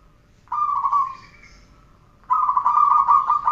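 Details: Zebra dove song, recorded for training birds: two steady, warbling coo phrases of about one to one and a half seconds each, separated by a brief pause, against a quiet background.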